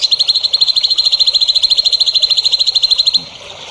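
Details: Songbird song played to train young birds: a fast, even run of high chattering notes repeated about three times a second, stopping abruptly near the end, leaving faint background hiss.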